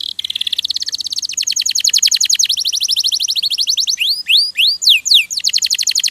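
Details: Canary (kenari) training song: a long, fast, rolling trill of repeated high notes that speeds and shifts pitch, then loud rising and falling whistled slurs before the trill returns.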